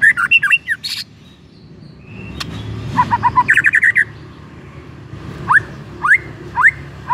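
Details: White-rumped shama singing to provoke another shama into song: bright varied whistles and a quick trill, a pause, then four loud upslurred whistles at roughly half-second intervals.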